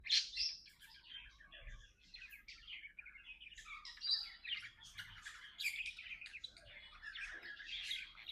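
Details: Pet budgerigars, two companions talking and playing together, keep up a continuous chattering warble of buzzy and squeaky notes that rise and fall through eight seconds with barely a pause.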